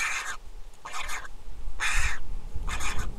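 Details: Begging calls of a three-month-old Griffon vulture chick at a nest in Israel during feeding, recorded by nest cam on 23 July 2021: four grating, raspy cries in quick succession over a low background rumble.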